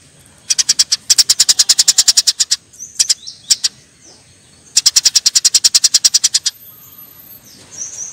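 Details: Eurasian tree sparrows fighting: two long bursts of harsh, rapid chirps at about seven per second, each lasting around two seconds, separated by a few scattered single notes and a brief quiet gap.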